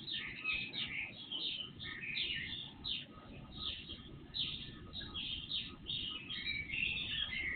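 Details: Several birds in full pre-dawn song, recorded on an IP surveillance camera and made three times louder; lively, overlapping chirps, twitters and short trills without pause, against hiss and a thin electrical hum.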